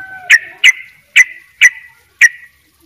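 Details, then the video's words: Sooty-headed bulbul of the Bali type singing in vigorous 'gacor' style: five short, bright whistled notes with sharp attacks, each trailing off, spaced about half a second apart on a quiet background. "trycuk bali dobel ropell gacor"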